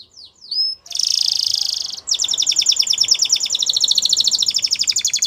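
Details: Caged Spanish Timbrado canary singing a training song: a few sliding notes, then a sustained metallic rattle, then a long fast series of evenly repeated high notes.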